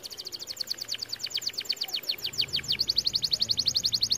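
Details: Red variant canary singing to stimulate other canaries to sing: fast trills of sharp repeated notes, about eight per second, shifting into a brighter, steadier rolling trill, over a low background hum.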